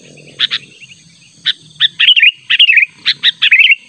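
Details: Sooty-headed bulbul calling insistently, natural voice played as a lure for rivals: scattered sharp chirps give way to lively, bubbling warbled phrases that quicken toward the end, with a soft low hum early on.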